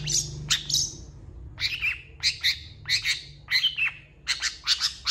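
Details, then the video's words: Long-tailed shrike in a song full of fill-in phrases: harsh, scratchy double notes repeated roughly every half-second with uneven spacing, over a faint low hum. "CENDET GACOR FULL ISIAN CEPAT DI RESPON PENTET LAIN"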